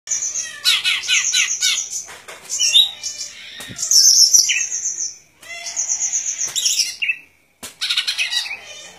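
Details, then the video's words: Golden-fronted leafbird singing a varied, high-pitched song: rapid buzzy trills and sharp chirps, bursts separated by brief pauses, a few sharp clicks between phrases. "Good Performance of Golden Fronted Leafbird"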